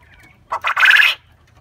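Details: Black coturnix quail crowing alongside its companions, part of nonstop crowing: two short notes then a longer harsh, buzzy burst lasting about half a second.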